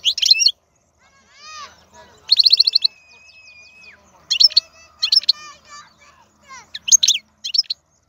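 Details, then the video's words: Wild Algerian European goldfinch in song: short bursts of sharp twitters, a rapid buzzing trill, a long steady whistled note, then scattered bright chirps and trills separated by brief silences. "تغريد الحسون خلوي ممتاز"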